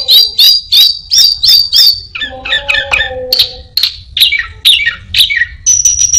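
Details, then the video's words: Repeated sharp, downslurred chirps about three a second from a mimicking orange-headed thrush, broken by a lower scratchy chatter, then ending on a thin steady whistle; copied sounds include prinia, cirtu and a cat. "burung Anis binbin gacor isian perenjak,kucing,cirtu,dan burung lainya"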